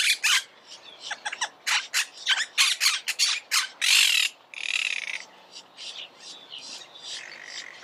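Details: Rapid harsh chatter from Monk parakeet (Myiopsitta monachus), many rough squawks in quick bursts followed by a longer buzzy screech and softer chattering as it fades.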